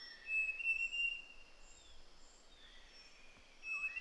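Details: A male large niltava near the summit of Doi Lang, northern Thailand, coming in from the forest looking for worms, gives thin, drawn-out whistles ending with a short rising note, over soft insect hiss and forest background.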